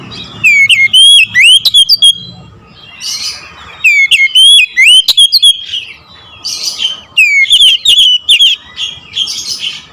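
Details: Oriental magpie-robin song in the nembak ngerol style: three loud bursts of rapid, piercing whistled notes with upward slurs, each about two seconds long and separated by short quieter gaps.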